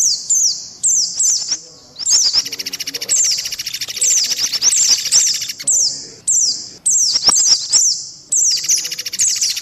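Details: White-eye lure call from a combined mix with mantenan and pelatuk beras, meant to draw birds fast: thin, high whistled down-slurred notes in quick bursts over a steady buzzy rattling trill from another bird, with brief pauses.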